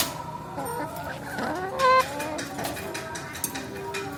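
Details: Chickens riding in a car on the way to slaughter, with quiet overlapping clucks and one sudden sharp, high squawk near the middle, over a soft vehicle drone.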